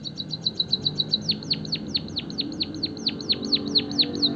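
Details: Actively singing white-headed munia with canary-style filler: rapid high ticking notes give way to a steady series of bright descending whistles, about two each second, with low background hum.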